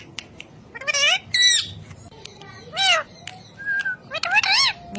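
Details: Ring-necked parakeet talking in loud, stacked harmonic sweeps and raspy squawks, several in quick succession across five seconds, with a short level whistle between them.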